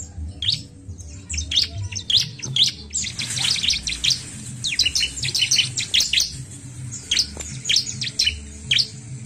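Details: Bar-winged prinia (ciblek), recorded to stimulate birds quickly, delivers rows of thin, high, fast-repeated chip notes in lively runs, with a faint low hum underneath.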